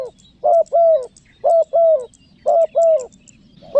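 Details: Clear lure call of a spotted dove for calling wild doves: three pairs of low mellow coos, a short note followed by a longer falling one, about once a second, with faint high ticking in the background.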